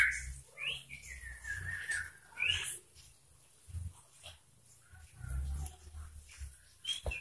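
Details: A sooty-headed bulbul sings persistently to provoke a rival, with a few bright, liquid whistled phrases over the first three seconds, then falls mostly quiet amid low thumps and handling noise, with one last short whistle.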